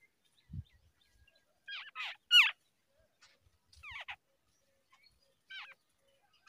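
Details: Babbler young fed by a parent in the early morning; scattered sharp, squeaky down-slurred notes in short clusters separated by quiet gaps, one low knock early on.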